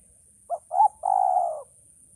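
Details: Male spotted dove, presented as a tutor recording for training birds, giving one cooing phrase: two short hollow coos followed by a longer, steady, slightly falling croon, all low-pitched and mellow, with a faint high hiss in the background.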